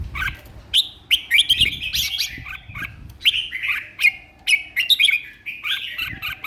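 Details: Caged red-whiskered bulbul, kept for song contests, singing a long run of quick, bright chirps and slurred whistles in lively repeated bursts, with faint low thuds.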